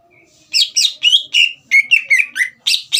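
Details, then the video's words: Green leafbird singing energetically to rouse a young speckled bird: a faint whistle, then a brisk string of about ten clear, slurred whistled notes, some buzzy and mimic-like. "CUCAK IJO GACOR INI SPONTAN MEMANCING EMOSI CUCAK IJO BAHAN TROTOL AGAR GACOR"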